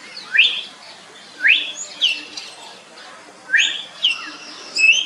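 A common hill myna gives loud, clear whistles that sweep sharply upward, often in quick doubled notes, about every one to two seconds. The background is quiet.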